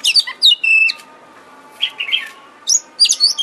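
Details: Oriental magpie-robin (kacer) song used as a lure to make a bird sing vigorously and open its tail: quick squeaky chirps, then a sustained pure whistle with ringing overtones, a pause, and further bright rising and falling notes.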